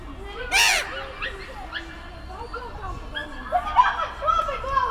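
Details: Black-headed gulls on Kotlin Island, recorded 18 June 2018: a busy mix of harsh, laughing, overlapping calls rising and falling, with one loud burst near the start and a denser chorus toward the end.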